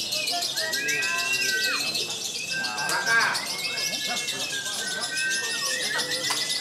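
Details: A caged lovebird singing at a competition in Jogja, Indonesia, pours out fast chattering warbles and flat whistled notes, with other birds, crowd noise and a bright buzzing background.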